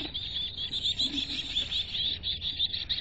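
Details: Chickadee inside a nest box in North Vancouver. High, thin chirping runs almost without pause, in fast overlapping bursts that pulse in loudness, with faint low scuffling underneath.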